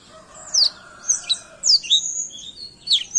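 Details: Black-throated canary singing actively, recorded as tutor song for training other birds: a few sharp, high sweeping notes spaced irregularly over a faint steady hum.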